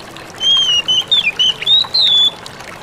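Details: Oriental magpie-robin singing a ngalas-style song used to make other magpie-robins answer: a run of clear whistled phrases, some gliding up and down, with brief gaps between notes, over faint background hiss.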